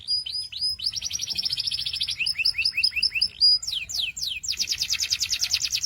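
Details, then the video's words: Loud, clean canary song in quick succession: a short pure whistle, a run of rising chirps, a series of bouncy dipping notes, sharp descending sweeps, and a fast, even high roll at the end. "Sweet Canary Chirping Sounds"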